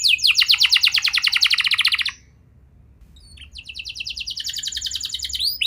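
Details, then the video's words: Lure song of a canary for stimulating reluctant young canaries: a bright, very fast trill for two seconds, a quiet gap, then a softer rolling series of repeated notes. "Pancingan Burung Kenari Muda! Ampuh Buat Mengatasi Kenari Muda Susah Gacor"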